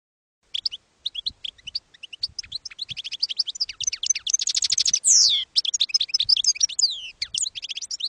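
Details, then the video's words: Field-style campero song from a European goldfinch, intended to teach young goldfinches: long, continuous flow of high twitters and rapid trilled runs with a sweeping buzzy note near the middle. "NUEVO CD CAMPERO PARA EDUCAR JILGUEROS"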